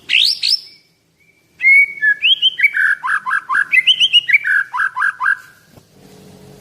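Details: Loud, eleven-month-old Medan white-rumped shama, 24 cm tail: a rising whistle, a pause, then a rich run of rolling, downslurred whistled notes in quick succession, ending in a faint low rattle.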